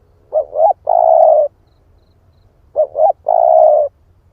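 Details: Spotted dove of the split-breast type, recorded as a lure call to stir up other birds: two cooing phrases about 2.5 seconds apart, each a quick double note followed by a long, steady, hollow coo, over faint low rumble.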